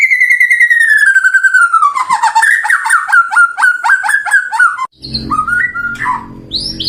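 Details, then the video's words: White-rumped shama song used to stimulate a caged bird: a long descending whistle breaking into a rapid trill of short notes, then a brief pause and a few varied whistles over background hum. "Suara Burung Murai Batu, Pancingan Gacor Untuk Terapi Burung Murai Agar Cepat Respon"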